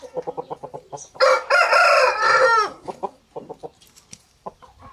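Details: Chicken farm with roosters and hens making noise; quick clucks lead into a loud, harsh rooster crow lasting about two seconds, then scattered clucking resumes.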